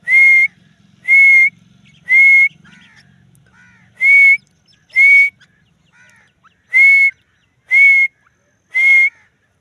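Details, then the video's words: Dakhni teetar, the grey francolin, giving a series of loud, piercing whistled notes. Each note ends with an upward flick, and they repeat roughly once a second with brief pauses. A faint low rumble sits underneath at first. "Dakhni teetar ki awaz"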